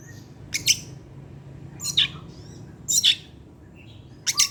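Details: Oriental magpie-robin (kacer) in evening lure song: four short, harsh, scratchy bursts spaced about a second apart, with a faint whistle between them over a low background hum.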